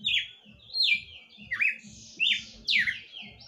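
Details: A pet Red-cowled cardinal sings at night, delivering rich, slurred whistles that swoop down then up in quick succession, about one every half second, over a soft repetitive low knocking.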